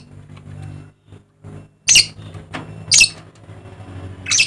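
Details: Papuan dusky lory calling with three loud, grating shrieks roughly a second apart, set against a low mechanical hum and faint background noise.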